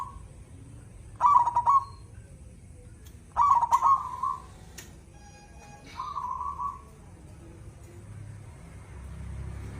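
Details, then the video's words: Zebra dove (perkutut), an active singer with a big voice: two short rolling cooing trills about two seconds apart, then a single drawn-out coo, with low rumbling noise throughout. "burung Perkutut gacor - mbpg suara besar"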